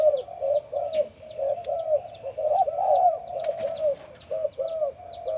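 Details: Farm-kept breeding male spotted dove, described as having a big deep voice, utters a rolling run of low coos that swell and fade. Faint high chirping from numerous other birds continues throughout.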